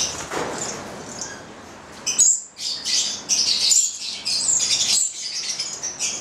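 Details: Captive Italian-bred pair of Papuan lorikeets (goliathina), nine months old; a sharp shrill squeak followed by bursts of high, scratchy chattering, broken by brief silences.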